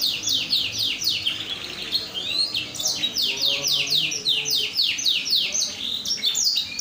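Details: Canary song used to lure other canaries into singing: a lively, continuous run of high, downward-sweeping whistled notes, several each second, over a faint background hiss.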